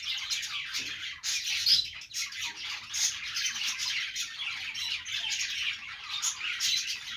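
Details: Playing budgerigars give a constant stream of shrill chirps and chattering warbles, several voices at once, punctuated by sharper squawks.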